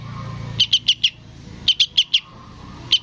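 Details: Sooty-headed bulbul chick begging from its parent with two sets of four clear high chirps, then a single chirp, against a quiet background.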